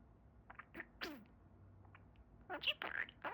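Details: Pet male budgerigar talking, repeating his favourite phrases "Budgie Bird!" and "Awesome!"; soft, quick, scratchy mimicked syllables in short bursts, with "awesome" and "bird" audible, ending in a louder chattering phrase, recorded quietly indoors.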